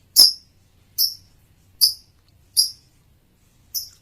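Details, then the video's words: Single high, shrill chirps from a male lovebird, spaced about every 0.8 seconds, five in all, in an otherwise quiet room. "kicau lovebird jantan"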